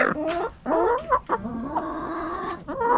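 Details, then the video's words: Backyard hens clucking loudly: wavering, nasal drawn-out cackles and short clucks in quick succession, with scratching and pecking noises beneath. "Hens Clucking Roosters Crowing"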